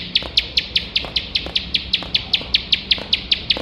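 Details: Competition-bird recording of a ciblek sawah (bar-winged prinia) delivering a brief stretch of shrill, clipped high notes repeated quickly and evenly, with soft low noise beneath.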